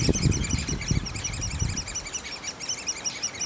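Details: Rapid, thin squeaking notes from a great spotted woodpecker nest, partly masked by low rumbling and knocking in the first two seconds, then fainter chatter continues.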